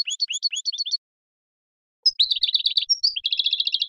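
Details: Goldfinch of the Major form, 2015: a short phrase of liquid rising notes, a pause of about a second, then a hurried tumbling twitter and a quick rattled trill.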